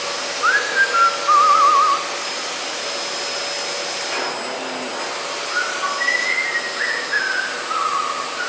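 An Eclectus parrot gives clear whistled notes, a rising whistle and then a quick warbling trill, and later a few more slurred whistles over a steady machine-like hum.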